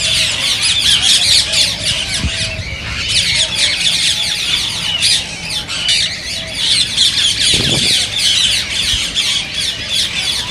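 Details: Rose-ringed parakeets calling to stimulate singing and mating in others: continuous rasping, high-pitched squawks and chirps run together as busy chatter. Two brief low thumps sound near two and seven and a half seconds.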